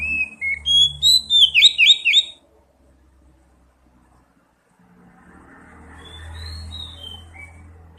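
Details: Oriental magpie-robin lure song: a two-second burst of loud whistled and warbled notes, then background rumble and hum with faint distant whistles.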